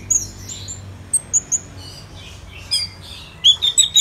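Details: Orange-headed thrush song from Bali, Indonesia, in the morning: scattered thin, very high whistles with soft pauses, ending in a quick run of four or five sharp repeated notes.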